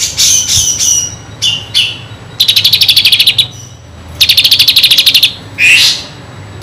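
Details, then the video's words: Lesser green leafbird singing high, sharp chirps, then two fast ticking trills of about a dozen notes each, mixed with borrowed phrases from another bird; a song used as a tutor recording for magpie-robins. "kinoi gacor isian kapas tembak"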